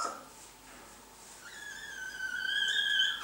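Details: Blue-and-yellow macaw during mating, kept as a pet indoors: a long, drawn-out harmonic whine holding level then rising slightly and growing louder, after a brief softer note at the start.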